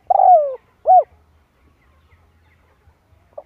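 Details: Spotted dove cooing meant to draw in other birds for trapping: one long coo sliding downward, then a brief arched note. The rest is near silence with faint low knocking and a clipped note at the end.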